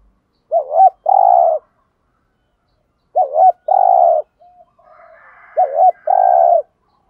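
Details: Spotted dove in 'thúc gù' cooing meant to lure wild doves: three paired phrases, each a quick wavering double note followed by a long buzzy coo, spaced about two and a half seconds apart, with a faint higher murmur near the end.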